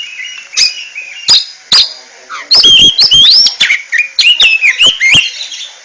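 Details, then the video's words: Oriental magpie-robin (kacer) with ngentrok song: a few spaced whistles, then a lively run of looping, up-and-down whistled phrases, punctuated by loud clicks. "RAJA NGENTROK!!! Kacer super kicau"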